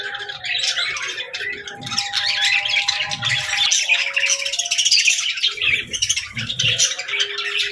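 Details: Small birds chattering continuously in a busy, overlapping stream of high warbles, squeaks and chirps, with a few soft low thumps underneath.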